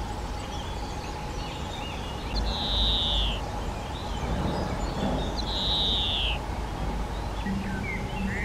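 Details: Spotted flycatcher at a half-open nest box on the back wall of a garden hut, parents bringing flying insects to two nestlings from a replacement clutch; two drawn-out, slightly falling high notes about three seconds apart, plus faint chirps over steady low hum.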